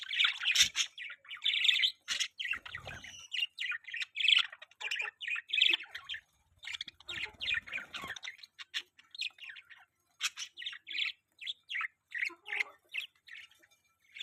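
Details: Several pet budgerigars chirping together in a constant chatter of quick high tweets and warbling notes, broken by brief pauses, with a few soft low thumps from movement in the cage.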